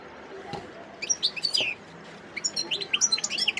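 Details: Short bursts of song from a wild goldfinch, Sidi Bel Abbes, 17 December 2021: a few sharp twitters, a brief pause, then a bright run of chirping notes.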